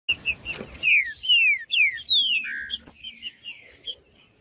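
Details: Green-winged saltator singing in male fighting mode: a rapid series of loud, clear whistled notes, each sliding downward, delivered in quick bursts, with a steady thin high whine running underneath.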